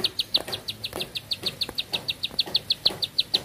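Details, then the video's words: Energetic bar-winged prinia song: evenly spaced, high, clicking notes in a quick steady rhythm, with soft background noise. "Nafas Panjang, Nembak Satu Lagu, Ciblek Sawah Gacor"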